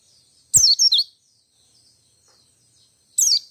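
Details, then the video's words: Single white-eye phrases in ngalas ngerol style, used to get other white-eyes singing: a brief loud burst of high, descending twittering notes, quiet, then another short burst. "Suara Pleci Ngalas Ngerol Nembak Semua Pleci Yang Dengar Jamin ikut Nembak Ngotot."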